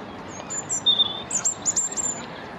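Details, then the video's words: A European robin singing in a corkscrew hazel bush near the Albert Memorial gives a brief phrase of high, thin, silvery notes that jump between pitches, some sliding and trilled, over a soft hiss. "Robin singing"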